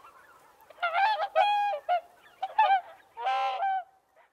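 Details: Whooper swans trumpeting: clear, ringing, nasal honks in short runs, a few quick double notes, then a longer drawn-out bugle near the end, with a faint low murmur of other swans between calls.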